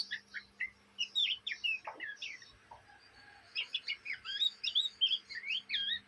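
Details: Juvenile Oriental magpie-robin, a kept bird, chattering song. Chips and squeaky slurred whistles come in spurts, a quieter pause midway with a brief harsh note, then a dense burst of twisting whistles. Faint hum behind.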